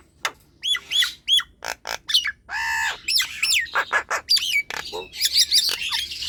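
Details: Energetic Nias hill myna song meant as a lure for lazy birds: repeated curling whistles, sharp clicks, a drawn-out nasal buzz, then dense harsh chattering and squeals.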